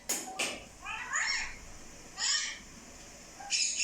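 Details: Talking parrot giving two sharp clicks, then harsh, harmonic, speech-like phrases separated by short pauses.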